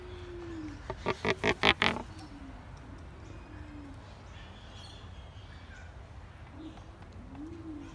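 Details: Pelican in a bad mood at Featherdale Wildlife Park, giving a short burst of about six rough, pulsed grunting notes in quick succession, then quieter; soft cooing and chirping from other birds in the background.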